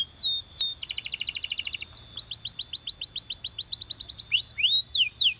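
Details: A champion canary sings: two falling whistles, a dense buzzy trill, a steady train of rapid descending notes, and finally a few rising and falling slurs.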